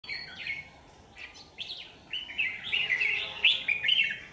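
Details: Red-whiskered bulbul used as a lure bird at a trap, recorded 27 January 2019; short bright warbled phrases, rising and falling, sung in quick bursts, growing louder and busier toward the end.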